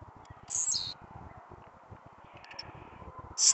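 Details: Excited Blue-black grassquit singing at night on 31 July, with a female released nearby: two short, high buzzy phrases sweeping downward, about three seconds apart, over faint background rumble.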